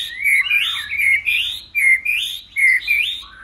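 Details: White-rumped shama in fight singing, flicking its tail: short slurred whistled phrases, each rising then dropping, repeated in quick, rhythmic bursts just over once a second.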